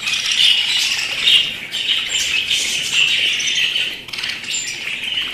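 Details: Lively warbling chatter from pet budgerigars: rasping high chirps and squawks run together almost without pause, easing briefly near the four-second mark before resuming.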